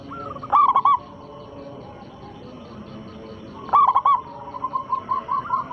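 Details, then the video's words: Local zebra dove, a strong and persistent singer, used as a lure for rival doves. Two loud clusters of rapid coos a few seconds apart, followed by a softer run of repeated coos from another dove. "perkutut lokal gacor suara besar pancingan sekali putar pasti langsung nyaut"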